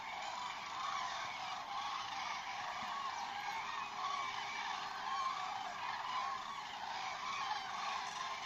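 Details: Common cranes (Grus grus) in Vanamõisa village, Haljala parish, Lääne-Viru County, Estonia: a dense, steady chorus of overlapping honking, trumpet-like calls, with brief louder notes rising out of the continuous hubbub.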